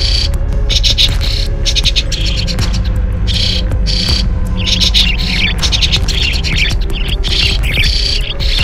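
A starling chatters in quick bursts of squeaky whistles, clicks and rattles. A steady low hum and droning tones run underneath throughout.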